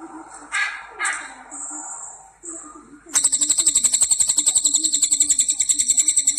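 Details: Cililin, the crested jay, noted for a very loud, long and piercing voice: after scattered soft notes and rustling, a sudden harsh rattling burst of fast, even pulses runs steadily for about three seconds.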